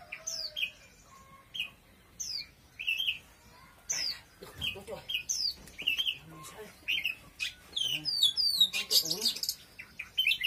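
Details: Oriental magpie-robin delivering short whistled phrases about once a second, each a sharp downslurred note followed by a lower twist, building into faster, denser trills and buzzy notes near the end; a voice briefly in the middle.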